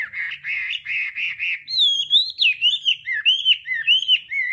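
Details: Hwamei voice-training song, đảo âm style: a string of buzzy repeated notes leads into clear rising and falling whistled loops, each note separated by short gaps.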